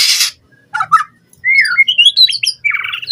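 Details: Lure song of a captive white-rumped shama for training other birds: a harsh hissing burst, two short scratchy notes, then a fluid run of whistled slurs climbing high before a buzzy trill.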